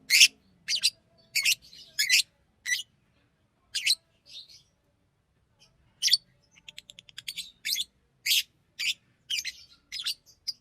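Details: Busy chirping from a green Fischer's lovebird, sharp notes in loose runs, a brief rapid ticking trill midway, then more steady chirps, with soft chatter between.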